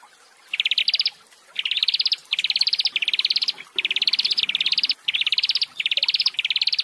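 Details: Horsfield's bush lark, male and female, played to help newly separated caged birds settle: dense buzzy pulsed trills, each about half a second long, repeated in a steady run with short gaps and a slight rise in pitch.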